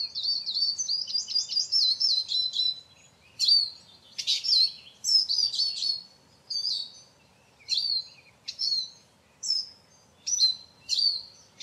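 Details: Eurasian siskin (Carduelis spinus) opens with a rapid high twitter, then gives a regular series of loud, squeaky descending whistled calls roughly every second.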